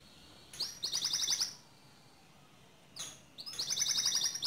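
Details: Two short bursts of high, fast trilling from a canary, sung in the 'ngerol' style to provoke another canary, separated by a pause with a faint hiss.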